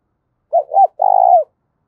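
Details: Spotted dove giving a quick calling coo: two brief, bent notes, the second higher, then a sustained, slightly pulsing low coo that falls away at the end. Clean recording with no other sounds.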